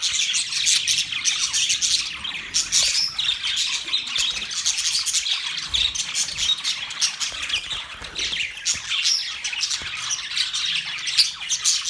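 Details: Constant chattering of budgies, Australian parrots: a dense, grating stream of high chirps, clicks and warbling squawks running on without pause.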